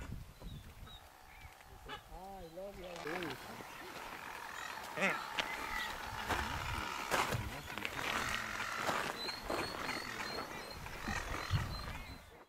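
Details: A Nazca booby in the Galápagos, Ecuador, in May 2012 gives a brief wavering, harmonic honking call, then rougher calls against steady wind or surf and scattered clicks.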